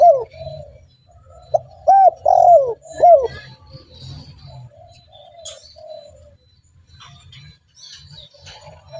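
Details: Spotted dove calling to lure other doves: one loud phrase of arched coos and a falling drawn-out coo early on, then only soft distant cooing and faint background sounds.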